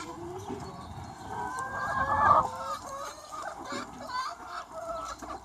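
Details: Chickens of a free-range flock calling on a sunny spring day, with softer, scattered clucks that swell briefly to a louder cackle midway, then fade into quieter murmuring.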